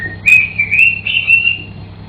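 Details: Pet African grey parrot singing indoors: one sustained, slightly wavering whistle lasting about one and a half seconds, rising at the start then holding level, over a low mains-like hum.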